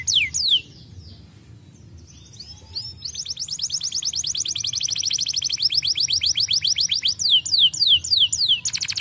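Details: Canary song used to stimulate other birds to sing: a few falling whistles, a quiet pause, then a long rapid buzzy trill that breaks into descending swept notes.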